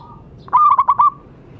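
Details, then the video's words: Lively local zebra dove used as a master recording for silent doves: one brief phrase of five rapid, bubbling cooing notes, ending in a smooth fading tone. "Perkutut lokal gacor suara bagus untuk terapi yang macet bunyi."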